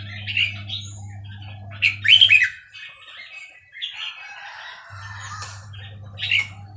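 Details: A Burmese-type red-whiskered bulbul from Dan Singkhon delivers separate short, chirpy warbled phrases near the start, middle and end, with soft chatter between them and a steady low hum in the background.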